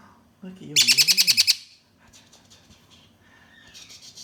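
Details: Juvenile Malabar parakeets, being handled and called noisy, give a rapid run of about eight shrill, screechy notes lasting under a second, with a woman's voice and softer chatter nearby.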